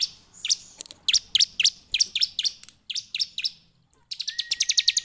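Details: Bar-winged prinia singing a rapid series of sharp, high descending chirps, roughly four per second, then a brief pause and a faster buzzy trill of ticking notes with a thin whistle beneath.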